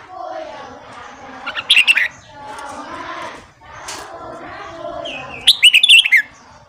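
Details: Morning song of a red-whiskered bulbul, meant to train and stimulate newly caught bulbuls: a short warbled phrase, then a faint background sound, then a fuller phrase of rapid, descending chirpy notes, over murmuring noise.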